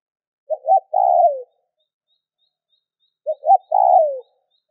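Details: Spotted dove cooing to stimulate other doves to call, two phrases nearly three seconds apart, each a pair of quick clipped notes followed by a drawn-out, falling, burry coo, in clean silence.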